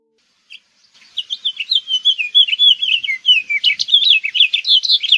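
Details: A continuous, lively house finch warble of many rapid chirps and slurs, rising and falling through a bright high register for about four seconds.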